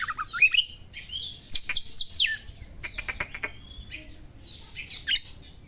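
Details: Magpie-robin singing sharp material drawn from small birds, used to stir up other magpie-robins: clear whistled slurs, a run of bright repeated notes, then scratchy chattering bursts and a final squeaky phrase over quiet background.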